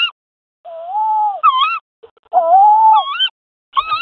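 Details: Courtship at a tawny owl nest box as the female receives a mouse from the male: long drawn, slightly wavering whining calls, each ending in a quick rising-and-falling twist, repeated with short silent gaps.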